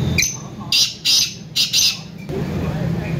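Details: Black francolin, locally siah teetar, from Layyah: loud harsh grating call delivered as four or five strident bursts within about two seconds, over steady indoor background noise.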